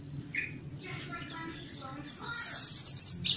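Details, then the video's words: Mountain white-eye song used as a lure: after a short, lower chirp, a run of high, quick twittering notes builds and grows louder toward the end, over a steady low rumble. "Suara asli pleci montanus gacor buka paruh pancingan pleci ngalas gacor nembak"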